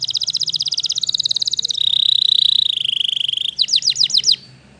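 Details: A Waterslager canary sings a long, steady rolling trill that drops slightly in pitch partway through, followed by five rapid falling whistled notes.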